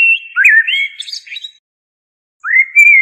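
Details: Mellow whistled warble from a common blackbird, sliding up and down, ending in thin scratchy notes, then a new rising fluted phrase begins after a pause.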